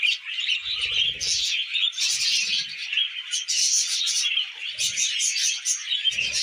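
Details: Millet-eating tame budgerigars give continuous bright, buzzy chatter, many short squeaky notes tumbling over each other, with occasional faint knocks in the background.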